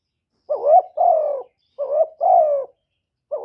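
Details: Spotted dove cooing in calling and urging style: two phrases of a wavering rising coo joined to a longer, drawn-out falling coo, with a third phrase starting at the end; the background is silent.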